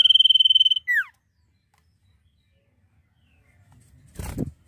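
A Common Iora gives a long, level, slightly quavering high whistle, then a quick down-slurred note; a brief dull thump follows after a pause.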